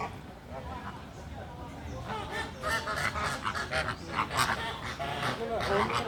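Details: Resting greater flamingos giving loud, goose-like honks that build into a dense, overlapping gabble of nasal calls, several per second, louder toward the end, over constant low background noise.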